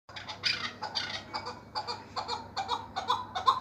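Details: Chukar partridge calling in a rhythmic run of harsh, clucking notes, about two or three bursts a second, each burst rough and broad, with a faint steady hum underneath.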